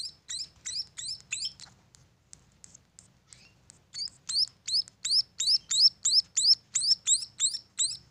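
Munia chicks give thin, very high chirps, about three a second, in insistent runs with a short lull midway; faint low background hum.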